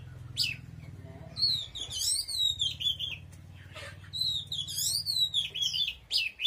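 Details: Oriental magpie-robin singing loudly: rich whistled phrases with rising and falling slurs, delivered in bursts over a low background hum.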